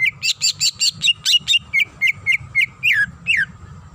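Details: Female greater green leafbird calling to the male; a fast series of bright chirped notes, first clustered and buzzy, then clean repeated whistles and two sweeping downward slurs, against a low background rumble.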